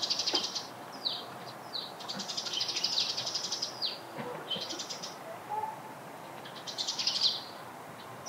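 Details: Several Eurasian tree sparrows chirping close to their nest-material gathering spot. Dense clusters of sharp, high chirps come in bursts lasting about a second, separated by brief quieter gaps.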